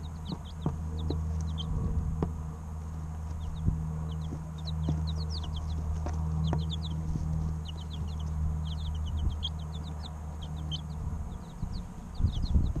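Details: Chicks at three weeks old giving thin, high descending peeps in frequent overlapping runs, with a constant low droning hum throughout and a few knocks near the end.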